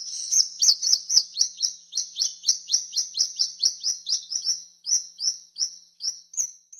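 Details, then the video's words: A swallow twitters in a steady run of high, sweet chirps, about two a second, each slurring up or down, with no other sounds. "SWALLOW SOUND"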